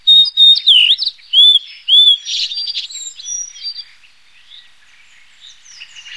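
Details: A Blue-and-white Flycatcher (Cyanoptila cyanomelana) gives clear, slurred whistles and rapid twittering notes for about four seconds, then trails off into faint high chips.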